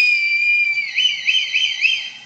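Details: A red kite, a UK bird of prey, gives a fast, drawn-out mew: a long, high, steady whistle, then four or five quick wavering, quavering notes. No other sounds.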